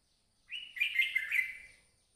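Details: Red-whiskered bulbul, a crested bird, singing a lively warbled phrase of about a second and a half: a steady whistled opening, then several quick, bubbling high notes that fade away.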